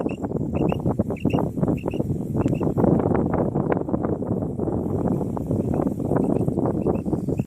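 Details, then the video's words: Common quail calling: short, clipped liquid notes in quick pairs and triplets, repeated about every half second, over heavy low rumbling noise. "Common Quail sound |Quail voice"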